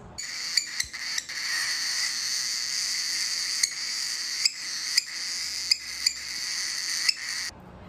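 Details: Unweaned female baby cockatiel crying: a long, steady, shrill, rasping cry held for about seven seconds, broken only by a few brief catches.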